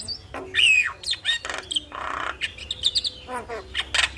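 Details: Starling singing in the morning, used as a lure and tutor recording to get birds singing: a mix of harsh buzzy bursts, rising and falling whistles near the top of its range, and short chattering notes, loud and varied throughout.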